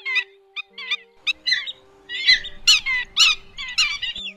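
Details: A black-winged stilt recording used as a night-netting lure during the August 2024 migration gives sharp, nasal yapping notes, two or three a second, turning louder and harsher toward the end, over a faint steady hum.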